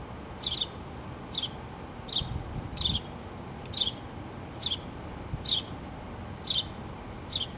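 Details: Nesting house sparrows, a mother with two chicks inside a pole, August 2017; a steady run of high, clipped chirps every second or less, some doubled, with soft low rumbling behind.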